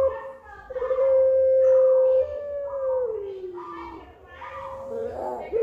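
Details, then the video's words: Puter pelung dove song: a long level hoot that slowly falls in pitch, followed by a rough burst and a fresh rising note, over a faint low hum. "9 Puter Pelung, suara dan karakter berbeda"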